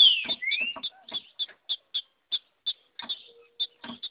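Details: Female green-winged saltator in the wild singing male-style song: a quick rising whistle opens, followed by a steady series of short, sharp high notes, about three per second.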